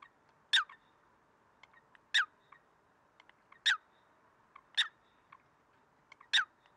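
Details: Eurasian coot recorded in Greece, February 2023, giving a series of five short, sharp, high-pitched notes roughly every 1.5 seconds, with faint softer notes in between.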